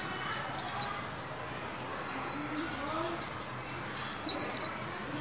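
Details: Caged white-eye in training, singing its líu song to greet the 2021 new year: a single high slurred note, then a quick burst of three sharp, descending, high-pitched chirps after a quiet pause.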